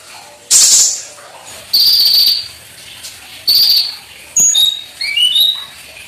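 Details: Olive-backed sunbird (konin) singing vigorously, a full-filler style song with shooting cucak cungkok phrases: a loud burst, then high thin whistled notes, one long level tone and a short rising run of chips near the end.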